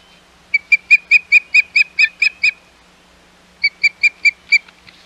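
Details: Osprey calling at the Hog Island Osprey Nest, 11 May 2021, during an intrusion by other ospreys: a rapid run of ten short clear whistled chirps, a pause, then five more, steady in pitch.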